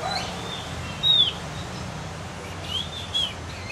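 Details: Practice song of a cucak gentong, the Javan Grey-throated White-eye, still learning its notes: two or three high, clear whistles separated by pauses, over constant low hiss.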